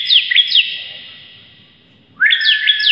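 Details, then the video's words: Vigorous song of a bar-winged prinia: two sharp high chirps, a slowly fading pause, then a rising sweep leading into more quick, bouncing notes. "CIBLEK GACOR ngotot berantakan"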